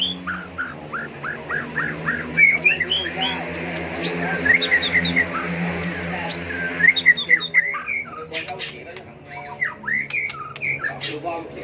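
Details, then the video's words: White-rumped shama giving provocative fighting song meant to train birds for singing contests; quick series of downslurred whistles and bright trills over a steady low humming background. "chòe lửa tạch đuôi hót đấu kích chim cực đỉnh, luyện chim hót đấu hay"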